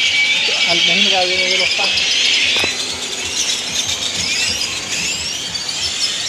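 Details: A large flock of great-tailed grackles gathering noisily to roost for the night in Granada, Nicaragua: a dense, continuous wall of shrill squeaks, whistles and rising slurred notes, with low voices faintly beneath.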